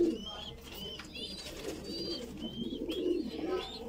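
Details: Young Voorburg Shield Cropper pigeon being fed, low muffled begging notes running steadily, with clear high whistled chirps from other birds repeating every second or so.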